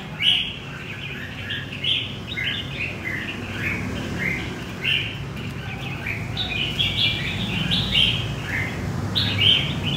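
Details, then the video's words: Red-whiskered bulbul, wild-caught in central Vietnam, sings continuous cheerful warbles of short chirpy notes, with several brighter, louder phrases standing out over steady low background noise. "Chim chào mào bổi miền trung"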